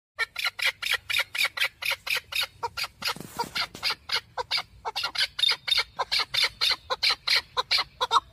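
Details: Chukar partridges at a Saturday bird market in the Zarafshon neighbourhood of Dushanbe, Tajikistan, 10 February 2024, where hunting and fighting partridges are sold; loud, harsh chuck notes repeated rapidly, about four per second, with a brief noisy burst midway.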